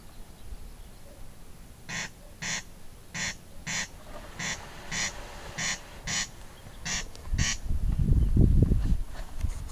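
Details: Corncrake rasping in rapid broadband pulses that come roughly in pairs, about ten in a row, before loud low rumbling noise takes over near the end.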